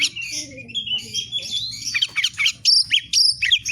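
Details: Magpie-robin song in lively 'fighter' form: a long drawn whistle rising slightly, followed by scratchy buzzing notes and short sharp whistles, with a low background hum.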